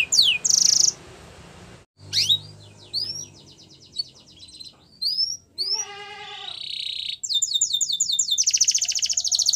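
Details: Canary training song for young birds, heard in broken bursts separated by short silences: high rapid trills, sweeping whistled notes, and a lower rolling tour near the middle, ending in a fast buzzy rattle.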